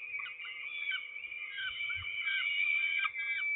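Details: Peregrine falcon at a nest in Trzebież during a food delivery, 29 May 2019, early afternoon: a continuous, harsh, wailing stream of overlapping high calls that rises and falls with steady rhythm, with a constant low electrical hum and faint thumps underneath.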